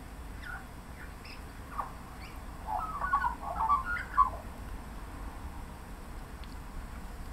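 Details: Singing on a fence in suburban Melbourne, Australia, during late-afternoon drizzle, an Australian magpie mixes in mimicked calls. Here, sparse thin notes lead into a dense two-second burst of fluty warbles, then quiet low rumble.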